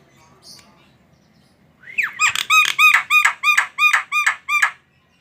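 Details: Javan myna, a tame bird, singing: after a faint squeak, a loud series of about nine harsh, downward-curving squawky notes, about three per second, rich in overtones and evenly spaced.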